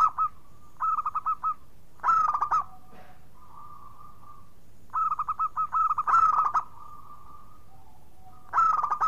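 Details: Local zebra dove in lively song, meant to spur silent doves to sing; repeated cycles of quick cooing note runs and loud rolling phrases, separated by faint sustained hums.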